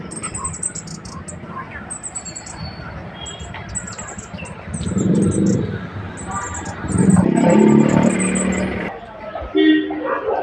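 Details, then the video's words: Small birds playing in a peach tree give high, thin chirps in quick bursts, repeated several times a second, over a steady low background rumble with louder low-pitched noise in the middle. "चिड़ियों की आवाज आडू के पेड़ पर खेलते हुए"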